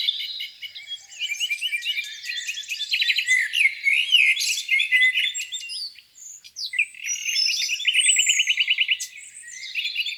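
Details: Birdsong at a lakeside on a spring morning, a busy chorus of chirps and rapid rattling trills, some notes rising and falling, with a brief pause near the middle.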